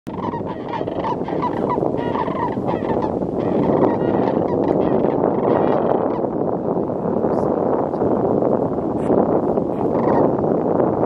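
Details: A flock of sandhill cranes arriving at Jasper-Pulaski Wildlife Area, Indiana, gives loud, rolling, trumpeting calls that overlap into a steady, dense chorus with no pause throughout.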